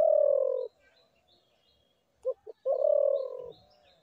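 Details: Spotted dove cooing: a long, low, slightly falling hooted note, then two quick short notes leading into another long, smooth coo.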